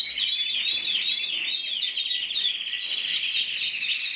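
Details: Intense yellow canary, singing alone, Spanish champion of 2014 with 94 points: continuous high rapid warbling of looping trills and chirps without pause.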